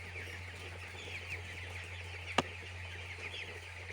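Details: Chicks at a poultry farm give a continuous chorus of brief high peeps from many birds at once, with one sharp click midway and a steady low machine hum beneath.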